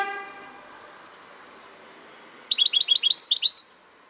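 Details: European goldfinch song: a single high chip, then about a second of quick, bright, liquid twittering, with a fading horn-like tone at the start.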